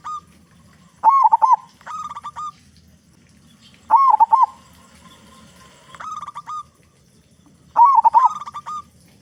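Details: Local zebra dove with a big voice, singing as a lure to get other doves cooing: three loud rolling, bubbling coo phrases about three seconds apart, with softer, plainer coos between them.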